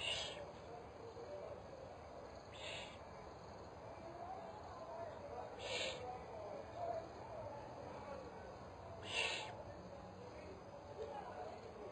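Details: Spotted eagle-owl, Bubo africanus, recorded on 22 October 2010 during a visit of the mother to the nest: short rough hissing bursts repeat at irregular intervals of roughly three seconds over constant murmuring background noise.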